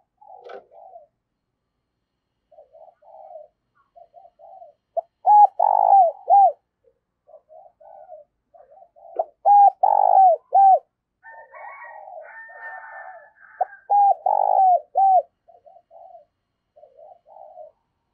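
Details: A spotted dove used as a lure bird for trapping gives low, mellow cooing phrases, soft notes building to louder, rounded coos.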